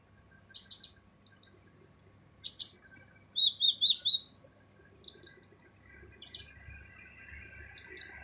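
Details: Sunbird known as kolibri ninja delivering full harsh song used as a tutor for other songbirds: quick rising series of sharp high notes, a short run of lower repeated slurs, then more high chip bursts.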